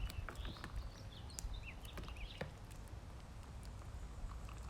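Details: Ducklings being fed, giving high, thin peeps in short upward-curving chirps scattered through the clip, with sharp pecking clicks and a steady low rumble underneath.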